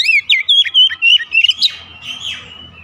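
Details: Oriental magpie-robin morning song: a quick string of about eight bright whistled notes, each sliding up or down, then a fading slurred note and quiet background.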